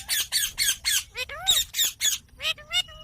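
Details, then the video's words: Green talking parrot uttering a rapid regular train of loud harsh squawks, broken by a swooping arched voice-like note, then softer stepped whistles near the end. "Green Talking Parrot | Cute Parrot Sound"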